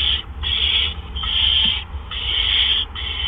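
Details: Barn owls at a nest on April 17, 2013, around 8 PM, as two adults deliver gophers one right after the other. Harsh, breathy hisses come in bursts of about half a second, with a steady low hum underneath.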